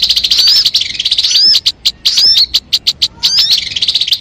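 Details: Crimson sunbird song used for luring birds, with rapid high-pitched twittering trills and quick rising whistled notes. A dense trill opens, then spaced sharp chips, then the twitter resumes.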